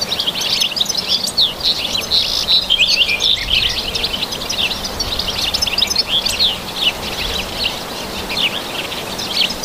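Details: European goldfinch in natural surroundings delivering a long, unbroken stream of tinkling, high-pitched twitters, trills and quick rising and falling chirps, slightly softer toward the end, with a low background hum.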